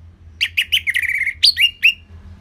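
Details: Orange-headed thrush, a relaxed 'gacor selow' singer used to lure and tutor other birds, gives a short phrase. Quick chips lead into a sustained warbled note, then three rising squeaky whistles, with a faint low background hum.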